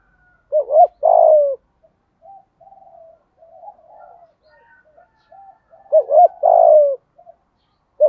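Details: Lure spotted dove singing 'giọng thổ' style to draw wild doves: a double arched coo and a long falling note, repeated after faint soft murmurs, with the phrase starting again at the end.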